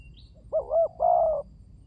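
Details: Spotted dove giving a soft two-part coo, a short hoarse note followed by a longer drawn-out one, against quiet low background noise and a faint distant chirp.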